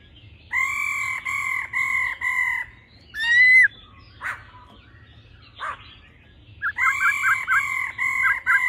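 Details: Male and female laughingthrushes, the song in a wild-forest voice used to stimulate a male quickly: repeated rich tones, a loud sweeping note, soft scratchy notes, then wavering harmonic phrases.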